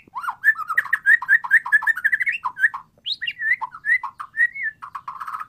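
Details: White-rumped shama in rich, continuous warbling song, played to get a non-singing bird to answer: fluty, rolling mid-pitched whistles tumbling rapidly with occasional higher rising notes.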